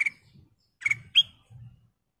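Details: Kutilang emas bulbul giving a few sparse notes: two short chirps and a bright upslurred whistle, with faint low rustling between them.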